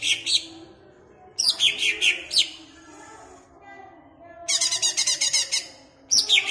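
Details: Caged greater green leafbird in Ampelgading, Malang, its song played to rouse other caged birds: short falling whistled notes in quick groups, a long dense buzzy chattering burst, pauses between phrases, faint low background hum.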